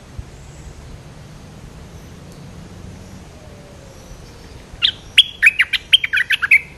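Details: Big, well-built territorial Streak-eared bulbul answering a lure call: after long quiet, a rapid run of about eight bright, chirpy notes in under two seconds, varied up-and-down pitch, ending in a slurred note, faint low hum beneath.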